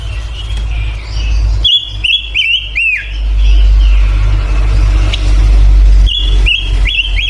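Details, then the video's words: Male pancawarna bird sings energetically: groups of sharp whistled notes with downward-curving slurs, a quiet gap, then another short run of whistles, over heavy low traffic-like rumble. "Burung legend panca warna jantan super gacor"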